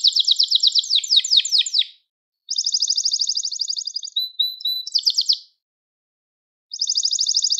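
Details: Gloster canary song for stimulating and teaching canaries: rapid falling notes, a pause, a steady buzzy trill with a pure whistle, more quick notes, and another trill after silence.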